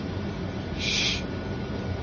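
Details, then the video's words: A male pet macaw, at night and said to be trying to impress his female, gives a single harsh, rasping squawk lasting about half a second, over a low indoor hum. "our male macaw 🦜 trying to impress his girl with his vocals"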